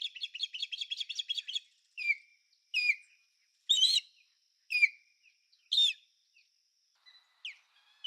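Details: Calls of an American osprey: a quick burst of clipped, high chirps, then a string of loud, down-slurred whistled notes about once a second, each sliding from high to lower pitch.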